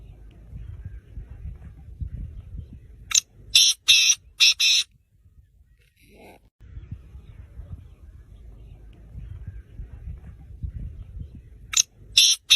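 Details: A six-month-old black francolin gives a harsh, grating phrase of four or five rasping notes, then repeats it about nine seconds later over a low background rumble.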